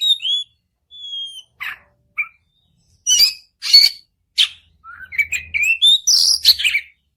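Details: White-rumped shama song used to set off another bird: clear whistles and short chips, then harsh buzzy notes, ending in a rising warbled series.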